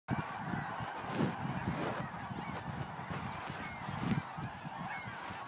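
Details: Snow geese massed in the marsh beside a cycle path at Montmagny, 17 April 2012, keep up a dense chorus of nasal honks with thin higher yelps cutting through, over a steady low rumble.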